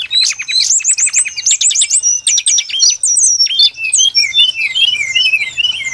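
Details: Song of a brown-chested jungle flycatcher, played as a trapping lure: opens with fast repeated rising notes, then shifts into varied high twittering slurs and falling whistles.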